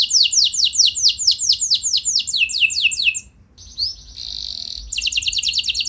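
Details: Canary singing to provoke other canaries into answering: fast trains of repeated high downward-sweeping notes, shifting into a brief buzzy steady phrase, then a rapid high trill.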